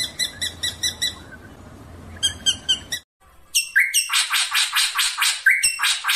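A drongo pours out a fast run of bright, metallic chirps and harsh buzzy notes, repeated in quick bursts after a brief pause.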